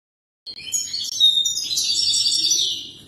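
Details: European goldfinch singing, a song meant for young birds to learn from: a rapid, dense run of bright twittering and tinkling notes with buzzy trills, starting after a short silence and continuing without pause.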